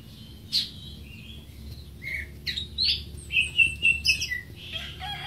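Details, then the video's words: Greater green leafbird giving scattered, sweet whistles and slurred chirps, then a quick series of bright notes with a buzzy flourish at the end, over a low rumbling hum. "Greater Green Leafbird (Bird Singing 74)"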